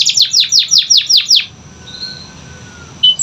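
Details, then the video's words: Canary song used to prompt quiet canaries to sing: about eight quick, bright descending sweeps in a row, then near silence with a faint high note and a final slur. "Pancingan Kenari Malas Bunyi‼️Dengar Langsung Nyaut Gacor Dor"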